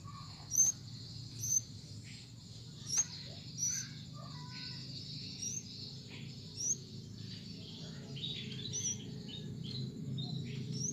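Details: Plain-throated sunbird, a kept bird from Subang given a routine morning bath, singing in full voice: short, very high, thin chirps spaced about a second apart over a steady low background hum.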